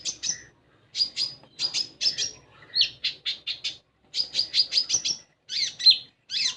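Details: Song of a common iora intended to draw a young caged iora into singing: crisp high chirps in short series, slurred whistles and loops, grouped into phrases with small gaps.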